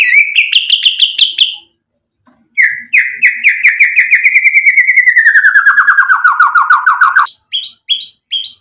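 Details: White-rumped shama singing vigorously, a lure recording meant to provoke other birds into answering: a bright rising whistled phrase, a pause, then a long run of rapid repeated notes sliding slowly downward, ending in short high chips.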